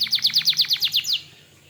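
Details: Gacor canary bait song to provoke other canaries into answering, heard as about ten quick descending chirps at roughly eight per second, then an abrupt stop.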